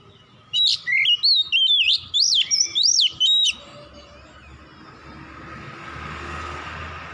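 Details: At dusk an Oriental magpie-robin delivers a burst of varied whistles, slurred notes and sharp upward sweeps for about three seconds, followed by low ambient hiss.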